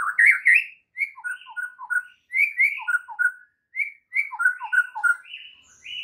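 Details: White-rumped shama in a morning training song intended to make other shamas sing; lively whistled phrases of short rising and dropping notes, delivered in bursts with brief pauses.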